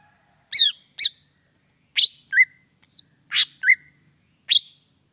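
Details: Greater green leafbird song played to rouse other leafbirds into singing: sharp high chirps and down-slurred whistles, about eight loud notes spaced irregularly over five seconds against a silent background.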